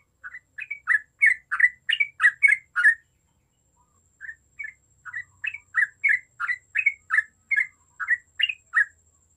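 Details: Yellow-vented bulbul singing energetically, used to provoke other bulbuls into a group 'ombyokan' chorus: bubbly, gurgling short notes in quick runs, a burst of about a dozen, a pause, then another long run, over a faint steady high hiss.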